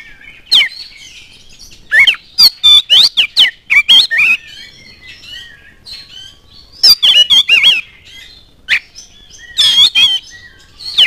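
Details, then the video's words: Loud, varied oriental magpie-robin song meant to provoke other magpie-robins to sing, with clusters of sharp whistled slurs, chattering notes and brief pauses between bursts. "KACER ANDA LANGSUNG NYAUT NGOBRA IKUT GACOR DENGAN PANCINGAN KACER GACOR INI"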